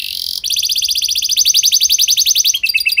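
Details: Canary performing a lure song for other canaries: a short buzzy note gives way to a fast, steady trill of bright high notes, about fifteen per second, ending in quicker chips.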